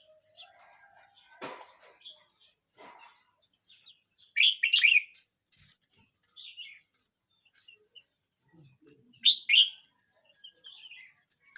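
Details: Red-whiskered bulbul, young at 12 months 29 days, gives two loud jaunty warbled phrases several seconds apart, with softer chirps between them and scattered faint clicks and knocks early on.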